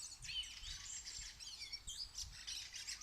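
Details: Bird singing outdoors: a dense run of high, rapid chirps and twittering trills, some notes sliding up and down, continuing without a break, with low rumbling background noise.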